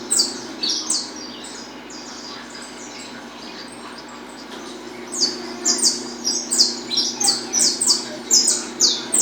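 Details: 'Estalando' song of a Peruvian saffron finch: a brief burst of high chips, a pause, then a fast regular series of sharp, downward-sweeping snapping notes repeated about twice a second, with a faint steady hum behind.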